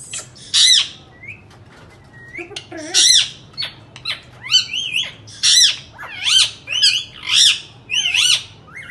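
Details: Indian ringneck parakeets, kept as pets, calling indoors: a series of loud, harsh, arching squawks, some with rising-falling sweeps, repeated roughly every second, plus a few soft low notes and clicks between calls.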